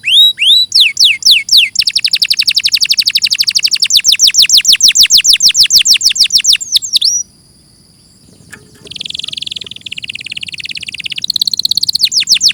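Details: Canary singing in a clear training recording: hooked chirps lead into a long, fast, even trill. A short silence follows, then low buzzy rolled phrases.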